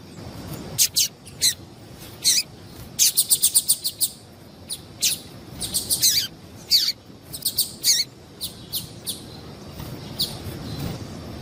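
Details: Female double-collared seedeater giving calls meant to make males sing: sharp, high chirps, several sliding downward, delivered singly and in rapid bursts of about six notes, with pauses between groups and steady background hiss.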